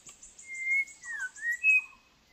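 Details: White-rumped shama used as a decoy bird for trapping, said to be too weak a lure. It gives faint, clear whistled notes that hold level, then dip and rise. A rapid, soft, ticking pulse series runs above them.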